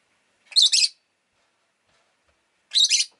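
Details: Pet rosy-faced lovebird calling twice about two seconds apart, each call a shrill double-pulsed chirp, with silence between.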